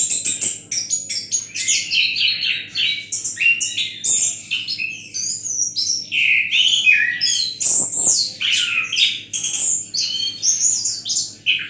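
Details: Relaxed song of an Orange-headed thrush in the 'Menatap Langit' display style: dense, rambling, high-pitched warbling with quick whistles, trills and sliding notes, plus a few soft knocks and a steady low background hum.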